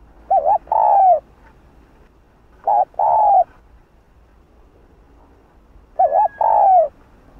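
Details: Cooing of a spotted dove with the Hạp Bổi voice, meant to goad other doves: three phrases, each a brief warbled lead-in and a sustained mellow coo sliding downward, spaced around three seconds apart.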